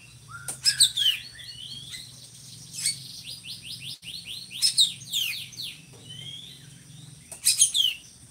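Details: Drongo kept in Indonesia as a tutor bird for other songbirds, its voice called loud and monotonous: scattered bursts of scratchy, sweeping high notes separated by quiet pauses, a faint low hum underneath.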